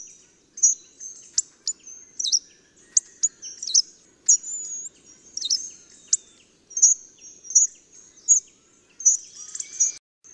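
Hawfinch giving sharp, very high ticking 'tsik' calls and thin squeaky notes, irregular, about one to two per second, with a faint low background hum.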